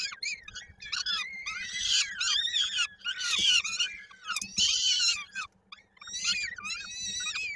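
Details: Peregrine falcon nest, Koszalin, Poland, 16 May 2022, feeding with a chick's foot stuck in a beak: frantic, rasping cries in irregular bursts, some sharp clicks, and a brief quiet gap near the end, with a low hum throughout.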